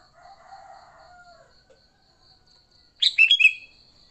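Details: Sooty-headed bulbul fighting song, used to lure other bulbuls: one loud burst of bright, bubbly whistled notes near the end, after a soft low rooster-like crow and a pulsing high insect drone.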